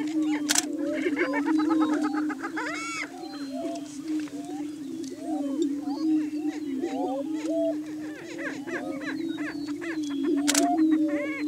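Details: A morning lek of Greater Prairie Chickens on a high hill in Washington County, Kansas, displaying for breeding territory: a constant deep hooting drone beneath a busy layer of quick cackles, whoops and chattering calls.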